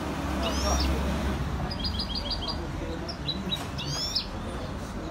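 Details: Goldfinch (maknin) recorded in Skikda: a short series of evenly spaced high chips followed by a bright twittering flourish, against a low droning hum and steady background noise.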